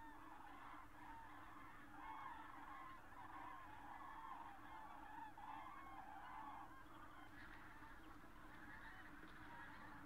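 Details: A large flock of common cranes near Berlin, Germany, on 24 October 2015 in autumn gives a continuous chorus of overlapping, rolling trumpet calls over a steady low rumble of wind or distant traffic.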